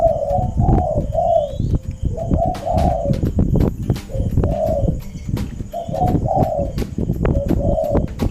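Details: Decoy spotted dove kept at a house in Thailand, cooing without stopping while the other doves in the house answer: low hollow coo phrases repeated about every second, over heavy rumbling noise and sharp clicks.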